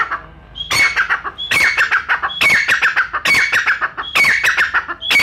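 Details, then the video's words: Pakistani brown francolin voice, recorded for hunters. Each phrase opens with a short high whistled note, then a burst of harsh, grating syllables. Phrases repeat about once a second, six in a row. "بھورا شکاری تیتر ۔۔ براؤن شکاری تیتر شکاری حضرات کے لئے خصوصی ویڈیو۔۔brown frencolin Bird for Hunter"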